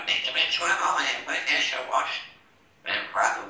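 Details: Pet African grey parrot, a male, chattering to himself indoors: a run of muffled, speech-like babbling syllables with a brief pause, then two more short mumbled phrases.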